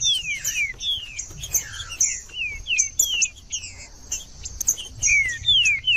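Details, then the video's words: Green-winged saltator singing in a 'cold' style, used to stimulate other saltators to sing: a fast run of clear whistled notes, each sliding downward, with thin high chips and twitters layered above. "TRINCA-FERRO CANTANDO FRIO"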